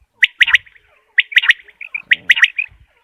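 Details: Common quail giving a sharp, liquid three-note call, repeated about once a second, used as a hunting call, with a brief low rumble in the background.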